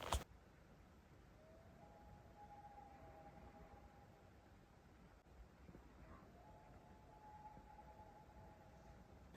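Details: In September on a clear lake with mountains in Maine, Common loons give two long, mournful calls, each sliding from a lower note up to a higher held tone lasting several seconds, over a faint low rumble.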